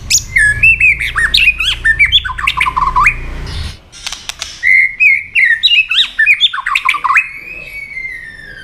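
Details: White-rumped shama agitated into fight-singing, tail-flicking: two long bursts of rapid, varied whistled and warbled notes with sharp chips, over faint low rumble early on.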